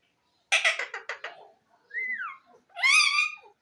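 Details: Talking green ring-necked parakeet producing a rapid run of raspy syllables, then a falling whistle and a long harmonic-rich drawn-out call.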